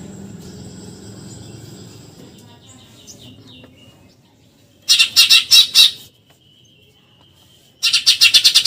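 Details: Eurasian tree sparrow giving 'tembakan nyerecet' rattles for contest-bird training: fading background rumble and faint high notes, then two loud volleys of rapid harsh chirps about three seconds apart.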